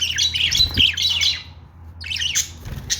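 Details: Budgerigar chirping in a pet setting: a warbling, chattering run of quick rising and falling chirps for about a second and a half, a short pause, then another chattering burst, over a steady low hum.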